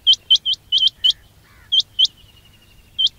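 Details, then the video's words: Quail (batair) lure calls: a run of five quick, high, upslurred chirps, then scattered single notes with a soft descending trill between them. "quail batair ki awaz"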